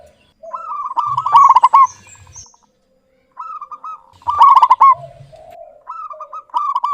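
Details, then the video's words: Local perkutut, or zebra dove, calling persistently with a clear voice: three bursts of rapid clipped cooing notes that break into rolling trills, with softer lower coos between them and roughly twenty phrases a minute. "Perkutut lokal GACOR suara jernih BAGUS MEMIKAT."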